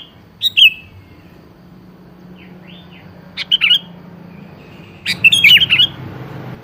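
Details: Sooty-headed bulbul song used to prompt an answer from a quiet bird: sparse short warbled notes, one more phrase mid-clip, and a longer tumbling run of bright notes near the end, over a low hum.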